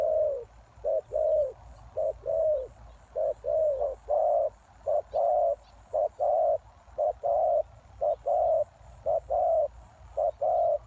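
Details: Spotted dove calling as a lure for wild doves: a long run of low hollow coos in short-long pairs, dense and sometimes overlapping, repeated about once a second.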